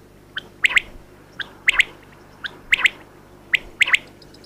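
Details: Female common quail calling: paired sharp chirps, often preceded by a softer note, repeated roughly once a second, over a faint low hum.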